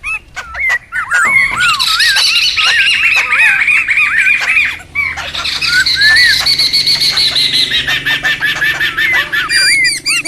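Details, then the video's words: Wild laughingthrushes in a noisy flock, recorded for bird luring and tutoring, pour out a constant dense babble of warbled and squawking notes, with a brief lull midway before the chorus swells again. "SUARA PIKAT DAN MASTERAN SEMUA BURUNG POKSAY RIBUT ALAM LIAR"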